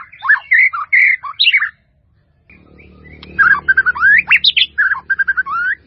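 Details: Melodious white-rumped shama song meant as a full tutoring recording, rich whistled phrases with rising and falling slurs, a pause near two seconds, then fast varied notes resuming over a low background rumble.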